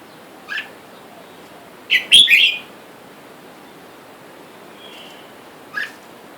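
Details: Wild red-whiskered bulbuls calling for a mate outside a cage holding a male and female; a single short note, then a loud rolling phrase of chirps, a faint whistle, and another short note, separated by quiet gaps.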